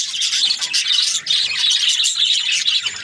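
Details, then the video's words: Short burst of loud budgie chirping, a packed high-pitched chatter of rasping warbles and squeaks from several birds, nearly continuous. "Beautiful budgies chirping sounds"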